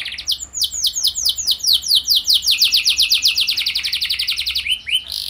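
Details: Canary song used as a lure to prompt other canaries to sing: long runs of rapid, evenly repeated downslurred high notes, speeding up into a fast trill, then a few lower slurred notes near the end.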